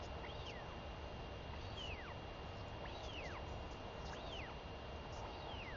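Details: Royal albatross chick begging from her mother at feeding time, 23 May 2021; a string of faint falling-arched whistles roughly once per second, set in a strong steady background hiss.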